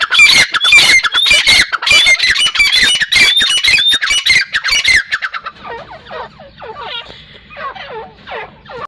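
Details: Teetar partridge calling hard: a dense run of loud, rasping, whistle-laced bursts for about five seconds. Quieter, lower, downward-sweeping calls and a faint low hum follow.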